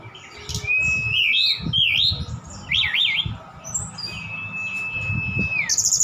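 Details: Javan bush lark from Sukabumi, singing vigorously with imitations of cililin and sikatan londo: zigzag trilled whistles, a long level whistle ending in a drop, over low rumbling background noise.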